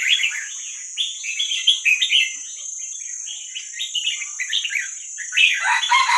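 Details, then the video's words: Young red-whiskered bulbul of the wild Vietnamese type, recorded as training sound for young birds: near-continuous rapid chattering warble of mid-high notes running six seconds, ending in a louder, fuller burst. "ลูกนกกรงหัวจุกเวียดนามป่า ใว้เปิดฝึกลูกนก"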